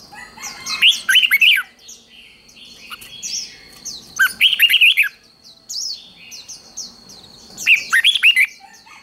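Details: Red-whiskered bulbul singing its fighting-style contest song, used to train birds for singing competitions. Three energetic phrases of rapid, sweet, slurred whistles come roughly every three and a half seconds, with fainter high twittering from other birds between them.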